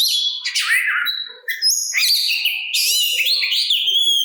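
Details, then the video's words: Oriental magpie-robin (kacer) singing to provoke other magpie-robins to answer and to rouse fighting spirit: rich varied whistles, sweeping slurred notes and buzzy trills, continuous high phrases with brief pauses. "Suara Burung Kacer Pintar dalam Memancing Bunyi Kacer Lain! Kacer Lain Pasti Nyaut"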